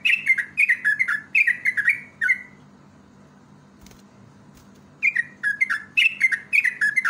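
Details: Yellow-vented bulbul, a lure recording for other birds; rapid runs of bubbly, down-slurred whistled notes in two bursts separated by a silent pause of about two seconds.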